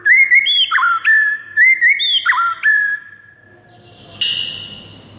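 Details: White-rumped shama morning song meant to train kept birds: quick bright whistled phrases with sharp upward flicks, repeated several times, then fading to quiet with a brief buzzy note near the end.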